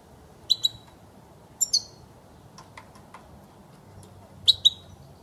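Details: European goldfinch, a recording intended for training young birds: three pairs of clear high chirps spread over five seconds, with faint soft clicks and ticks between them.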